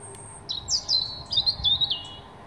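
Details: Morning song of a European robin: a clear, high, tinkling phrase of quick descending whistles and rapid warbled notes, flowing together for about a second and a half against a quiet background.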